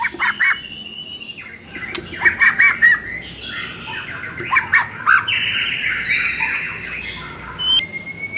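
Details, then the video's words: Varied white-rumped shama song played to stir a shama that sings too little: harsh squawky notes mixed with long whistled tones, clicks and chattering bursts, ending in a thin rising whistle. "MASTERAN UNTUK DONGKRAK EMOSI MURAI BATU YANG KURANG GACOR"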